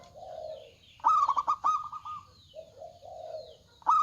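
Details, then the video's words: Loud-voiced local zebra dove song from males and females replying to each other: a low soft coo, a sudden burst of fast staccato coos trailing into a trill, then more soft cooing. "PERKUTUT LOKAL GACOR Suara Besar"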